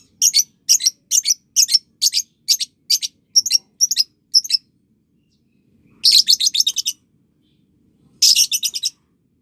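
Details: Lovebird on a tutoring recording meant to teach young and under-five-month birds to ngekek: about twelve sharp high chirps in a quick uneven series, then two dense trilled chattering bursts near the end. A faint low hum lies underneath.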